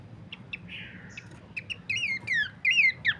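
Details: Bush babbler used as a master song for training cage birds: sparse chirps, then loud slurred whistles falling from high to mid pitch, repeated in short bursts, over a low steady hum.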